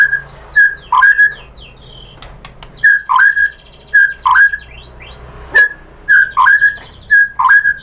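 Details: Lure recording of a white-rumped shama, used to make birds reply. One short whistled phrase, a sharp note then a dipping slur, repeats about every second in loose groups, with faint clicks and a low background hum.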